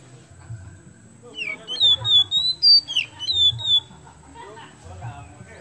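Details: Kacer kemben magpie-robin singing to prompt other birds: after a quiet start, a short run of clear, slurred whistles rising and falling, then fading back to a low background hum.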